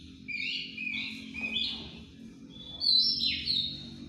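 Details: Bird in breeding condition giving a quieter ngeplong song: a few sustained, wavering whistles, then a louder sliding whistle that drops in pitch near the end, with background hum throughout.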